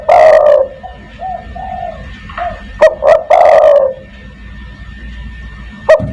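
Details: Spotted dove (derkuku, tekukur) calling to summon other doves: loud, low, hoarse coos, some drawn out and others clipped, with sharp clicks between phrases and a steady faint tone behind.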